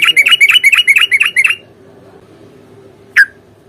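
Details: Sooty-headed bulbul singing a long rapid-fire fighting song meant to provoke a reply: about eight quick bubbly notes in a run, then quiet with a low hum and one sharp falling note near the end.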